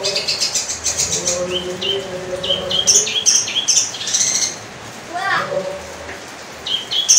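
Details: Long-tailed shrike singing a varied, rich song: high sharp chirps and short buzzy notes in quick bursts, mixed with lower tonal phrases and a brief downward swoop, against steady background hum.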